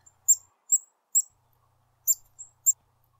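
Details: Black-capped Chickadee giving the seet call, used year-round by both sexes, often by undisturbed birds: very high, thin, brief tseet notes, about six in three seconds, spaced irregularly; nothing else is heard.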